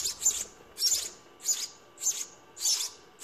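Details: Nestling house sparrows calling as a parent feeds them, a steady run of shrill, scratchy chirp bursts roughly every half second.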